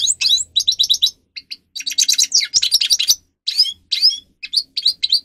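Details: Grey-crowned goldfinch (Carduelis caniceps), a kept singer used for training, delivers choppy phrases of high chattering twitters and buzzy notes, with brief pauses between bursts and a faint low hum early on.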